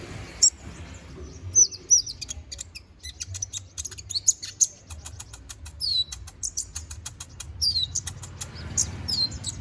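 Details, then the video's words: Konin bird's full-repertoire ngobra song for training magpie-robins: an almost continuous flow of high chirps, downslurred whistles and rapid trill-like sequences over nearly ten seconds. "MASTERAN BURUNG KONIN GACOR NGOBRA FULL ISIAN!"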